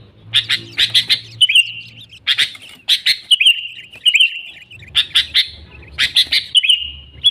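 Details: Sooty-headed bulbul song for luring wild bulbuls to traps: groups of three or four sharp chirps, each followed by a clear falling whistle, repeated over faint background hum.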